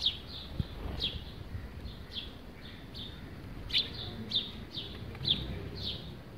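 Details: Sparrow at a terracotta bird bath and water feeder, chirping as it bathes: sharp, high, descending chirps roughly every half second to a second, some louder and closer, above faint low background hum.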